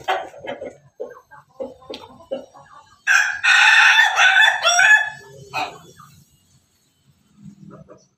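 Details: A Pelung rooster gives a loud, drawn-out crow of about two seconds, preceded by a run of soft clucks and followed by quieter clucking.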